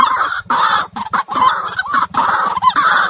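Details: Raucous, choppy white-breasted waterhen calling used as trap bait, uneven harsh bursts broken by short silences.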